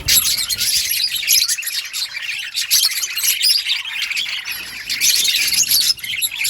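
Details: Constant high chatter from budgerigars: rapid squeaky tweets, scratchy warbling and occasional harsh squawk-like notes that run together without pause for over six seconds, with faint low rumbling at the very start.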